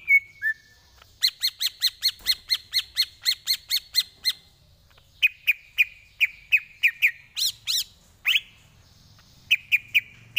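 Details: Greater green leafbird tutor song for training, with a long, even, rapid series of ringing double-pitched notes, then slurred whistles, sharp upward sweeps and a closing group of clear whistles.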